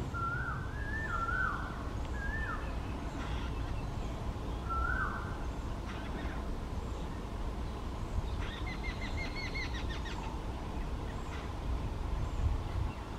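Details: A green bee-eater (Merops orientalis) perched on top of tree branches in West Bengal, India, gives a few short, rising-falling chirps, then a quick, ringing trilled series, over a steady low rumble of wind or distant traffic.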